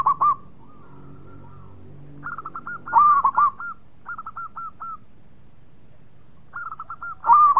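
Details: Local zebra dove in full song: short bursts of soft, hooked, bubbling coos at mid pitch, repeated in clusters with quieter fainter cooing phrases between, over a low hum.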